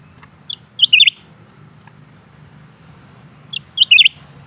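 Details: Steady song of a lesser green leafbird: high single pip followed by a rapid swirling cluster of clear chirps, the same phrase repeated about three seconds later, with a soft tick in between.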